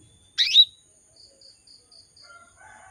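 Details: A female canary calls for males with one loud downward-sweeping chirp, followed by a row of five faint high buzzes and the start of another chirp at the end.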